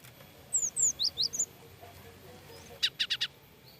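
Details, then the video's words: Alarm calling by a frightened cinereous tit: a string of high, thin, downslurred whistled notes, followed after a pause by four quick, harsh, buzzy chips. "Suara Gelatik Batu Ketakutan"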